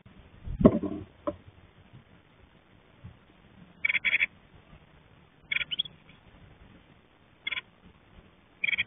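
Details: A mother Japanese tit, on guard all day against crows and other predators, gives short harsh, buzzy alarm bursts, in pairs and singly, every one to two seconds, after a dull thump at the start.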